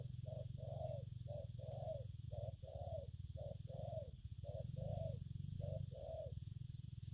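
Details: Spotted dove, a newly caught bird, giving gù phóng, gù kèm and gù lăn cooing: soft paired coos repeated about every second, partly masked by a loud low-pitched hum and faint high clicks.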